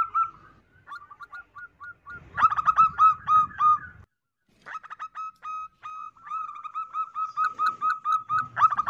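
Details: Female zebra dove calling as a lure to attract males: quick runs of short, rich cooing notes, a brief pause, then more rapid bursts that settle into a longer, steady repeated coo, with a low rumbling noise partway through.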